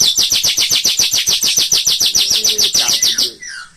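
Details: White-rumped shama master song for songbird training: a very fast, regular, high-pitched rattling trill of some twenty notes, ending with a soft lower note.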